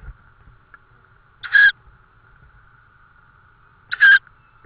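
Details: Two loud, brief, raspy screeches about two and a half seconds apart from a tawny owl at its nest with prey, Estonia, 18 May 2013, evening; a faint steady hum runs underneath.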